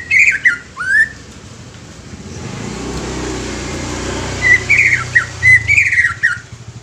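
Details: Greater green leafbird, young, singing as a stimulus for untrained leafbirds. It opens with warbled notes and an upward sweep, goes quiet over low rumbling noise, then returns with a chain of bright whistles and slurred notes.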